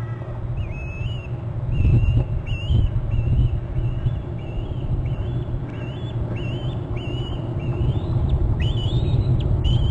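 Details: Bald eagle chick in its nest beside its mother on Hornby Island, eating before the mother leaves, giving thin rising whistled screeps repeated roughly every second over a steady low rumble of wind.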